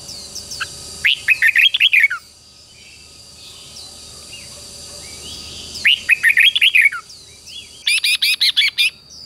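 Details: Red-whiskered bulbul singing in the morning, used to train wild-caught birds: two bright rolling warbled phrases about five seconds apart, then a fast run of harsh repeated notes, with a constant high whine behind.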